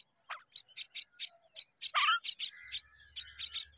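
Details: Mynas raising their babies together; a quick falling squeak, then evenly spaced harsh rasps with a burbled descending call among them, all over a continuous high whine.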